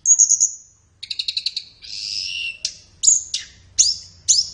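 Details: Flowerpecker song for training captive birds during morning or afternoon: a high quavering whistle, a quick series of clipped chirps, a long buzzy warble, then four sharp downward-flicking notes spaced about half a second apart.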